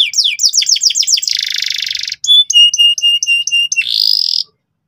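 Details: Persistent, loud canary song meant to teach young canaries the ngeriwik sound: rapid descending notes, a buzzy trill, a pause, then clipped paired whistled notes at two pitches, and a final buzzy trill before silence.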